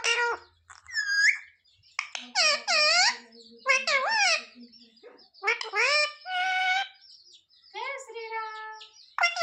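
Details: Captive parrot saying words for roti in a run of speech-like, strongly harmonic syllables with wavering pitch, interspersed with short squeaky notes and pauses indoors.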